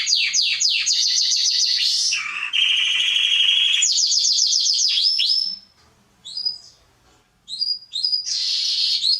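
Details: Canary (Serinus canaria) singing as a training example for young birds: quick descending notes and loud buzzy rolls, a pause with only scattered soft chirps, then the rolling song resumes.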